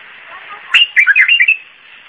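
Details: A single zamli-style phrase from a white-eared bulbul, the Iraqi bulbul: a quick run of six or seven fluty, rolling notes delivered in under a second over a quiet hiss.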